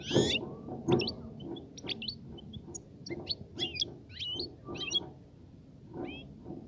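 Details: European goldfinch song aimed at prompting a female to mate and nest: lively, sharply sweeping twittered notes in irregular bursts, opening with two loud harsh notes, over a persistent low hum.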